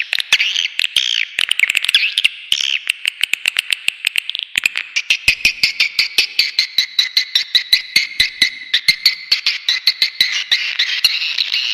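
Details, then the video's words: Swiftlet lure call with high twittering trills under a long train of crisp clicks, coming about every quarter second and growing more regular halfway through. "SUARA PANGGIL WALET ULTIMATUM"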